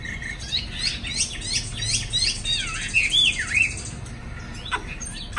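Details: Chinese hwamei kept in a cage, afternoon, wing-flapping: a run of rapid buzzy chattering notes gives way to looping whistled slurs, then a sharp click near the end.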